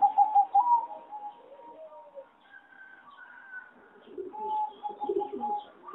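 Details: Farm-bred zebra doves kept for singing competitions, judged to have a weak melody: a loud opening run of fast pulsed coos fades into a jumble of softer overlapping coos from several birds.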